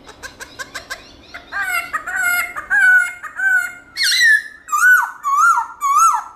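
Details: Black-throated laughingthrush in many-voiced wild-style song to excite caged birds: soft rapid clicks, then a chattering run of notes building into loud, repeated swooping whistles.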